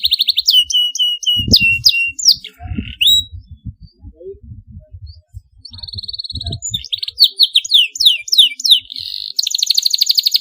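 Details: Canary chirps meant to stimulate young birds learning to sing: rapid, high, thin tweets and trills in fast repeated runs, broken by short pauses, with low dull thumps beneath.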